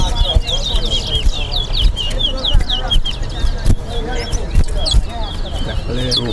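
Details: Towa towa, or Chestnut-bellied seed finch, singing in a head-to-head competition in Guyana: bursts of fast, high, downslurred whistled notes in quick succession, accompanied by crowd chatter and low background hum.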